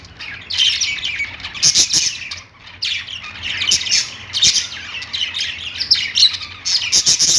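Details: Several parakeets in a pet store singing on a perch, a continuous busy chatter of squeaky chirps and harsher squawky notes, swelling in waves with a brief lull midway.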